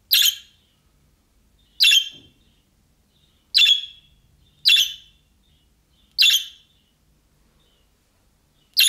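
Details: Young-bird-style calls of a budgerigar, used to get other budgerigars to respond: six brief, rough, high chirps spaced about one to two seconds apart against silence.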